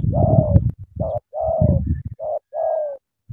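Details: Spotted dove from Cà Mau, Vietnam, cooing eagerly: five mellow, slightly falling coo notes in quick succession. The first three are backed by a low, rough rumble, and the last two are clear and clean.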